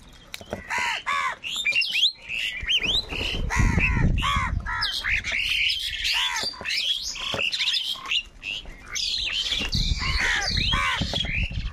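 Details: Angry crows fighting for food: many harsh, overlapping squawks and caws from several birds at once, loud and continuous, with rough noisy bursts between the calls.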